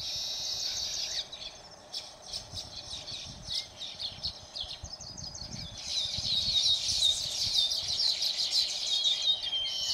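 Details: Baya weaver recorded in Phaltan, Satara, Maharashtra, India: rapid high chirps and squeaky chatter, clustered and repeated nearly three times a second, rising into a dense sizzling buzz in the second half, over faint low background rumble.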